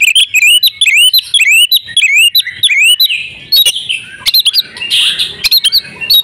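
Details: Female oriental magpie-robin in breeding condition calling to stir males. Quick repeated rising whistles with hooked tops come first, then broken clicks and rough buzzy notes.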